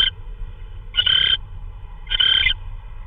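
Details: Owl bringing in prey, possibly a vole, in the small hours of March 16, 2013 at 3:12 AM; grating, wheezy rasps lasting under half a second, repeated roughly once per second, over faint low-frequency hum.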